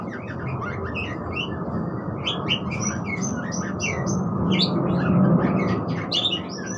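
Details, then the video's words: Budgerigar song of lively, fast twittering and chirping notes, uneven in rhythm, with a steady low droning noise underneath. "suara burung parkit"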